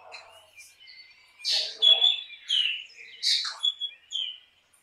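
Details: Black drongo song: soft chatter building into loud harsh rasping notes alternating with clear, falling whistled phrases, repeated twice in quick succession.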